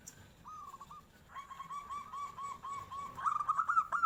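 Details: Local zebra dove answering a tofu seller passing by: a whistled opening phrase, then a long steady series of clear ringing coos that quicken into louder trilled notes at the end, with a quiet background.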